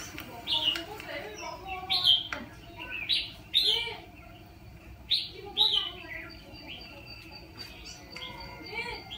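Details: Red-whiskered bulbul used as a decoy bird to trap fighting birds; short bright warbled whistle phrases come in loud bursts every second or two, with softer chirps between and faint background voices.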